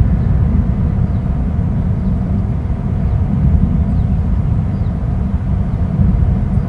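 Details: Steady low rumble of wind or distant traffic near an eagle nest, with no animal calls heard.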